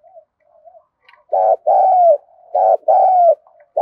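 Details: Spotted dove urgent cooing, played to make wild-caught birds call for decoy training: faint soft murmurs, then loud rhythmic coos, a short note and a long descending one, repeated about every second.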